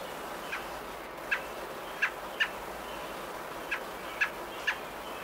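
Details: American robin at its nest while feeding its babies, nesting day 19, May 27, 2018: six short, harsh chirps at an uneven pace, some in quick pairs, over a steady low hiss.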